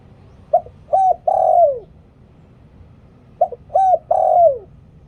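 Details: Spotted dove coo in lio tan style, from a bird used for luring wild doves. Two matching three-note phrases about three seconds apart, the last note long and sliding down, with soft background hiss.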